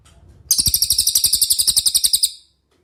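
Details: Clear cililin song for training other songbirds: one loud, sustained trill of about twenty rapid, sharp high notes lasting two seconds, evenly spaced, then silence.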